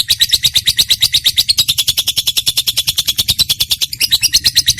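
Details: Trained lovebird in song, with high-pitched chatter given in quick, even pulses, a brief break near the end, then the rapid shrill notes resume.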